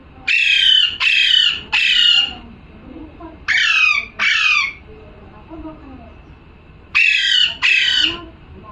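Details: Parrot giving a series of seven harsh, raspy squawks in bursts of three, two and two, each call falling slightly in pitch, with quiet gaps between the bursts and faint background murmurs.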